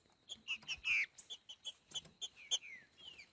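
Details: Green-winged saltator singing in the boiadeiro style out in nature: a run of short whistled notes with clear, downward-slurred phrases, mixed with sharp clicking sounds throughout.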